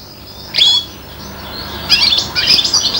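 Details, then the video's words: Five-month-old serin x bronze canary hybrid imitating goldfinch song: a short high twittering burst, a pause, then a second run of rapid sharp chirps and trills. "inverzellato imita il cardellino--girlitzmischling macht stieglitz gesang nach"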